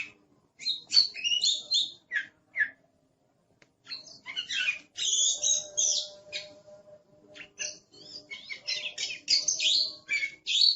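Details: Oriental magpie-robin, kept as a songbird in Indonesia, in aggressive song: clusters of scratchy chirps and harsh bursts separated by brief pauses, then a long run of dense rasping notes and clear whistles, with a faint low hum behind.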